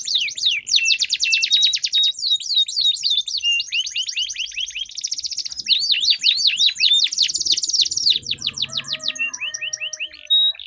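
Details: Duelling canaries delivering long rolling song to stimulate other canaries: rapid buzzy rolls and bright slurred notes, ending in softer, lower warbling phrases.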